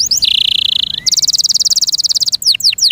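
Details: A canary cared for by its owner gives a few sliding notes, a steady buzzy trill, then a bright, fast pulsed trill higher up, ending with sharp downward sweeps.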